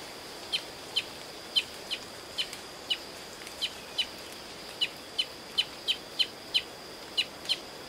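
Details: Brazilian tanager recorded in the city of Paranaguá, Paraná, Brazil: sharp, short call notes repeated at a steady pace, about every half second, some fifteen in all, over a faint even hiss.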